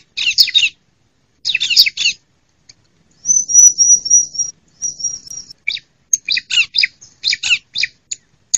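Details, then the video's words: Lure recording of a female bar-winged prinia, for stimulating lazy singers and catching wild birds in woods and gardens: harsh, rasping chatter bursts surround two runs of fine, high-pitched repeated notes. "ciblek mu malas bunyi ..? segera pancing dengan suara ciblek mp3 ini ..!!"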